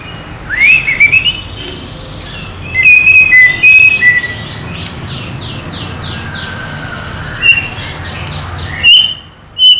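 A White-rumped shama sings clear whistled phrases, then a fast run of rising, sweeping notes and a few sharp high chips, over a low background hum.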